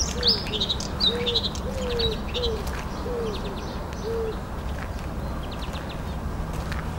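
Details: Bluethroat, a new singer, singing near a marsh in a city beach park in late April: quick bright chirps and twitters in the first second or two, over low, short, arched whistles repeated about once a second, with steady hiss.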